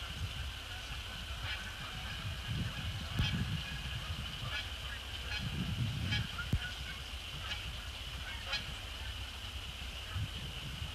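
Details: Canada geese, resident and migratory birds, flying in across a post-sunset December sky to splash down on Sapsucker Woods Pond; scattered honks rise over a heavy low rumble, with a steady high electronic hum throughout.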